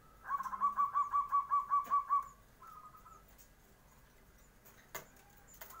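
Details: Zebra dove singing in the morning as a lure for other birds to answer. About ten evenly spaced soft cooing notes roll out within two seconds, followed by a faint trailing coo and quiet background clicks.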